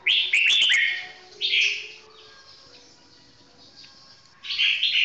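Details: Red-whiskered bulbul singing its 'golden voice' song slowly and clearly: a burst of quick chirpy notes, a short whistled phrase, a long pause, then another bright warbled phrase.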